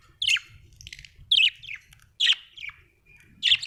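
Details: Australian budgerigar chirping: bursts of bright, scratchy chirps, each a quick descending note cluster, repeated about once a second with short gaps, and soft low rumbling in the background.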